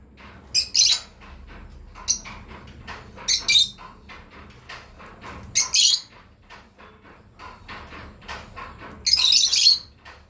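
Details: A breeding pair of lovebirds giving loud, harsh, high chirps in short separate bursts, about five over ten seconds with quiet gaps between, against a low indoor hum.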